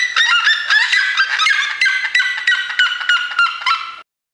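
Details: Rapid series of harsh, harmonic yelps from a red-legged seriema, notes tumbling about three per second before stopping abruptly into silence.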